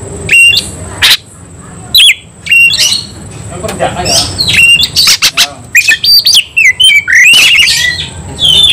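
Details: An Oriental magpie-robin worked up into fighting song: harsh scratchy bursts alternate with short whistled notes, and a dense run of chattering phrases fills the second half.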